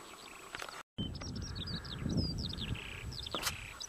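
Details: Eurasian skylark near Hawick at Adderstonlee, a fast chattering song of short upslurred and downslurred whistles, briefly cut by a gap of silence, with low rumbling noise and a sharp click.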